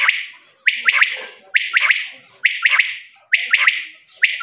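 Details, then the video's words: A common (desi) quail calls in quick bursts of two or three sharp, liquid notes, repeated about once a second with brief pauses between phrases. "Voice of quail's | lawa birds"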